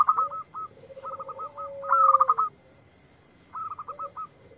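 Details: Local zebra dove (perkutut) singing in answer to a lure: clear staccato phrases of short, evenly repeated cooing notes over a lower drawn-out note, given in bursts separated by short pauses.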